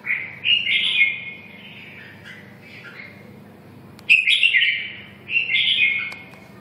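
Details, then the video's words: Red-whiskered bulbul with short bursts of bright, slurred whistled song separated by quiet gaps, steady low hum in the background. "Kênh về Chim chào mào"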